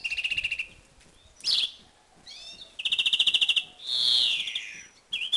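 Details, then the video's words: Breeding-condition male European greenfinch, 2011 season: a dry rattling trill, a short twitter, then a fast buzzy trill and a long harsh wheeze, ending with a brief chirp. "MACHO DE VERDERON EN CELO"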